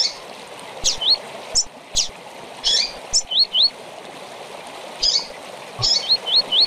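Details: Double-collared seedeater giving tui-tui phrases and chips, a training recording for young birds. Loud chips alternate with paired and tripled upswept whistles, the last run of four notes closing the passage, over constant rushing noise.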